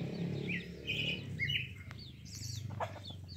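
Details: Brief stretch of Pale-breasted thrush song, a few clear whistled notes and a rapid twittering flourish, with a low background hum and a faint click.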